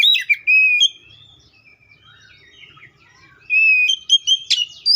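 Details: Oriental magpie-robin (Copsychus saularis) song: a short burst of clear whistles, a quiet gap with faint twittering, then another loud run of sliding whistled notes ending in a sharp chip.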